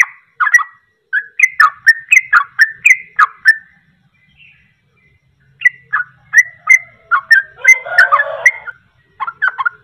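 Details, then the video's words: Rapid ropelan song of a sooty-headed bulbul, meant to provoke birds to sing: quick chortling whistled notes in two bursts separated by a two-second pause, with a brief rustly sound near the end. "Ropelan Trucuk Ini Ampuh Untuk Pancingan Langsung Pada Ikut Ropel"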